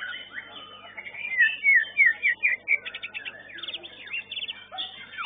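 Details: White-rumped shama singing at a bird singing contest in a competition arena: a run of loud, clear whistled upslurred notes repeated several times a second stands out over a dense chorus of other songbirds.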